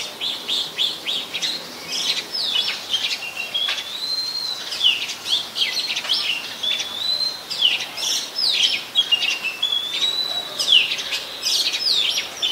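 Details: Song of an Oriental magpie-robin in Ubon Ratchathani, Thailand, 24 December 2020, captured on a Nikon P1000: a dense, varied run of sweet whistles, trills and quick chirps, with longer level whistled notes recurring between busy twittering passages.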